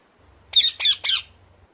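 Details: Three quick, rasping high squawks from a ring-necked parakeet in a tight series, with a faint low hum underneath.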